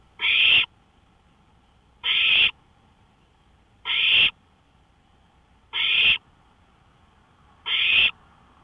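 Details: An owl calling from a porch at 1:53 AM, May 5, 2013, with five evenly spaced, raspy hissing bursts, one roughly every two seconds, against a low steady hum.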